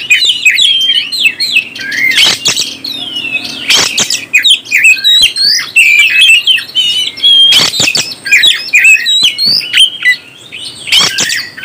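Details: Oriental magpie-robin song used to stir up other birds: dense, loud, varied whistled phrases with rapid slurred notes and chattering, broken by sharp bursts, continuous across the recording in a small indoor space.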